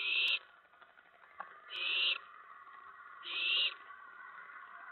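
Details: Owlets in a nest at night, 1:55–2:04 AM on 10 September 2017, during food deliveries of a rat and mice, pouncing about; three harsh, hissing screeches, each under half a second, spaced about 1.5 seconds apart.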